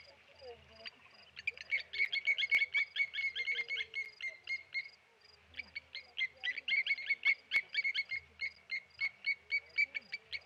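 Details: Several Blacksmith lapwings mobbing a Tawny eagle at the Okaukuejo waterhole: bursts of hard, ringing 'tink' notes fired rapidly in runs of a few seconds, broken by brief pauses, over soft low background rumble.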